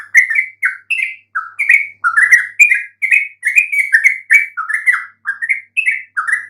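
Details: Yellow-vented bulbul singing a provoking lure song for other bulbuls to respond to: a long, lively stream of liquid chirps and slurred whistles, about a dozen quick bursts with tiny pauses, nothing else audible.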